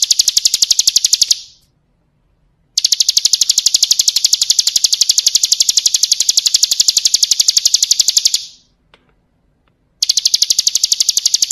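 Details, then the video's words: Bar-winged prinia, kristal style full-fill song for training cage birds: long stretches of rapid, regular, high metallic chipping, broken twice by sudden silences of over a second before resuming. "Masteran Suara Burung Ciblek Kristal"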